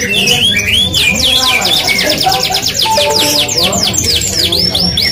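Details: Vigorous song from an F1 canary, with dense bursts of quick, high, repeated trilled notes and bright sweeping chirps, an unbroken run of rolls over constant low droning background sound.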